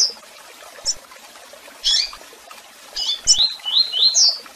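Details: Double-collared seedeater in tui tui song style, with chirps and calls: scattered sharp chirps, then a quick string of bright rising whistles that gets louder toward the end.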